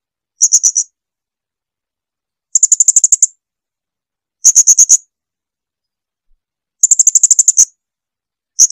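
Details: Blue-crowned hanging parrot (srindit) in a clear training recording for songbirds: high, thin chattering bursts of rapid clicks, each lasting under a second, spaced roughly two seconds apart, no other sounds.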